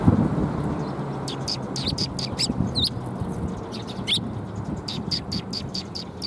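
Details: Sparrows coming for food on a shrine approach, recorded 26 March 2021: bursts of varied high chirps and tweets in irregular clusters, with low urban hum underneath.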